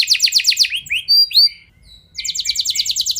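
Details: Canary song meant to spur other canaries into singing long rolls. A fast high trill gives way to a few clear whistled slurs and a brief pause, then the rapid rolling trill starts again.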